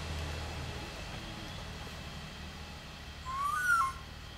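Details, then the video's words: A Black-and-white Owl at Sachatamia Hotel, Ecuador, on 13 November 2017, gives one brief, rising, slightly hoarse call that dips at the end, heard over a steady low rumble. "Black-and-white Owl"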